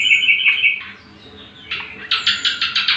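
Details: Cucak kombo (greater green leafbird) master song for tutoring: a buzzy trilled note, a short quiet pause, then a fast pulsing run of rich chattering notes about six per second, over a low hum.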